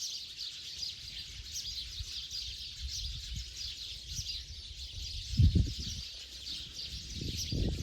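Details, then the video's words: Many sparrows settling to roost for the night in Bodoland, a constant bright chirping chorus of overlapping calls, with low rumbling noise and a couple of heavier thuds in the last few seconds. "Sparrow before night stay."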